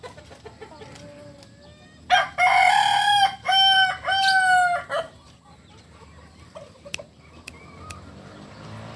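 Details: Kukuak Balenggek cock, a chicken native to Solok, delivers a long multi-part crow: a ringing opening note followed by three shorter stepped segments, about three seconds in total, with faint clicks and soft chirps before and after.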